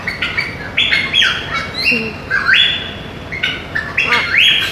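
Macaws calling in harsh, bright squawks and short rising shrieks, several overlapping calls in quick succession over nearly five seconds.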